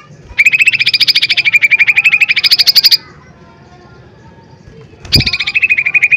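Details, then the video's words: Lesser green leafbird in powerful song: a long, fast, even trill of bright repeated notes lasting about two and a half seconds, silence, then another rapid trill begins. "Pancingan Cucak Ijo Mini Gacor Full POWER Tembakan keras Mancing Emosi"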